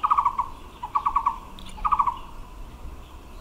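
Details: Taiwan barbet singing in March 2021 near blooming kapok trees: short bursts of four or five hollow, evenly spaced low notes, each burst lasting about half a second, repeated three times with brief pauses; faint background hiss.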